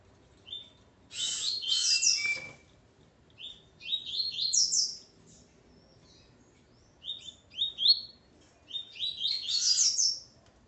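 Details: Double-collared seedeater male singing alongside his female, opening with a harsh buzzy burst, then several bouts of quick rising chirped notes in stepped runs, separated by brief silences.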